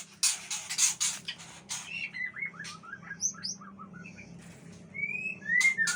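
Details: Male long-tailed Aceh white-rumped shama, agitated, sings short whistled phrases: rising and falling slurred notes between sharp, harsh rasping bursts, with a low steady hum underneath.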